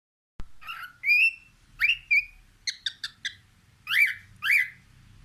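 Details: Cockatiel singing while looking out a window: a sharp click, then a string of whistled, harmonic chirps and short rising-falling warbles, some notes slurred and drawn out, in a quiet room.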